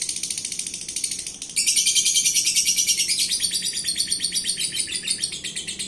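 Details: Prize-winning pet lovebird, called paskun and gacor, sings a continuous, rapid, high-pitched rattling trill that briefly gets louder and shriller midway, then stays steady to the end.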